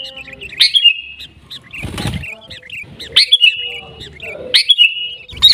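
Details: Garuda-style song of a sooty-headed bulbul from Pidie, Aceh, Indonesia: loud whistled phrases with sharp upslurred notes come roughly every one and a half seconds, with quieter chatter between them and a brief broad knocking noise near the start.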